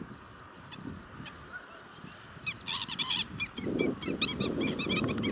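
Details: Black-winged stilts in a heated argument break into sharp, yapping kek notes after a quiet start, several birds calling quickly over one another against low wind rumble; Dodda Begur Kere, 7 March 2020.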